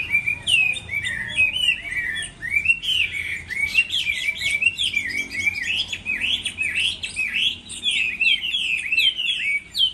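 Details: Chinese hwamei singing competitively in moulting season: a continuous, energetic run of melodious whistles, trills and quick slurred phrases, busy and overlapping throughout.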